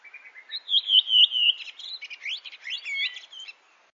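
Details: Redwing giving one song phrase in a quiet setting: a few soft lead-in notes, a loud run of warbling, slightly descending fluty whistles, then a quick chattering twitter that fades out after about three and a half seconds.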